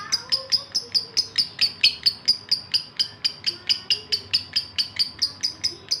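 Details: Male lovebird in breeding condition calling a female: a steady series of sharp, high chirps, about two per second, each note clipped and bright, continuing without a break.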